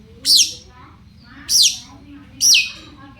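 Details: A lure recording of Long-tailed Shrike meant to make other shrikes respond: three loud, piercing, downslurred squeals about one second apart over a quiet background hum.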